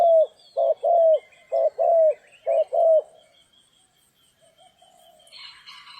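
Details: Spotted dove during trapping in stormy, rainy weather: three quick pairs of mellow, falling coos, then quiet and a brief burst of higher rustling noise at the end.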